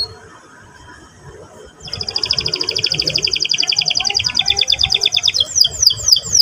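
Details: Canary song in the ngerol rolling style, played to provoke a young canary into song. After near-silence, a fast, high, steady trill runs for several seconds, breaking into a short series of slurred falling notes.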